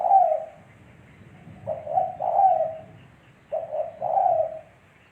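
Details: Spotted dove cooing: a low hooting note fades out, then two phrases of soft, husky coos, each a short note followed by a longer drawn-out hoot. Clean recording with no other birds.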